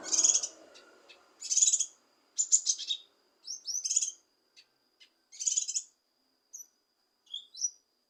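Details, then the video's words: Kinoi leafbird song played to provoke a lazy bird into singing. Loud, bright bursts of rapid chattering and twittering notes alternate with sharp whistled slurs and short pauses. A faint low rumble is heard at the start. "Cucak Kinoi Untuk Memancing Emosi Kinoi Malas Bunyi"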